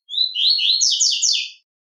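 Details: Double-collared seedeater singing the velox tui tui song style: one quick phrase of slurred, buzzy high notes, first rising, then a rapid run of repeated descending syllables lasting about one and a half seconds, with no background noise.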